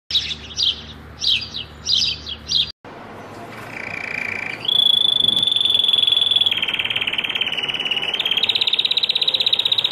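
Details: Syrian canary singing. Rhythmic bursts of buzzy trilled notes open the song, then a brief break leads into a long, steady, ringing whistled roll that holds one pitch and later steps slightly lower.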